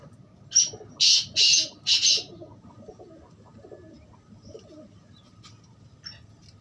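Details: Black francolin calling a loud rasping phrase of four scratchy, buzzy notes in quick succession, followed by quieter distant notes and soft cooing in the background.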